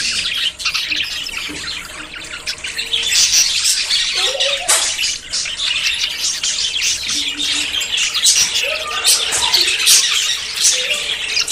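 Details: Courting budgerigars preparing to breed keep up a lively, rapid chatter of short chirps, whistles and raspy notes, several birds calling at once with a few clearer whistled notes mid-clip.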